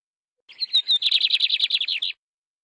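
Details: Canary song phrase opening with thin whistled notes that lead into a fast, even series of buzzy rolling syllables, roughly a dozen pulses, bright and high, ending abruptly into silence.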